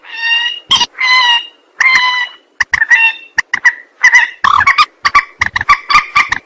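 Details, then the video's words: Rail calling for a trapping lure, opening with three long nasal wailing notes with rich overtones, then breaking into quick harsh clucking bursts that grow dense and rattling. "Suara pikat burung mandar"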